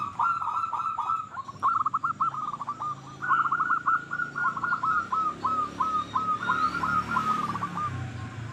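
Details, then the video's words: Local zebra dove song, used to lure other doves into singing: long run of quick rolling coos, steady and trilled, over a noisy background with broad hiss and low rumble. "Perkutut Lokal Gacor Suara Paling Ampuh Untuk Pancingan Burung Perkutut Agar Bunyi"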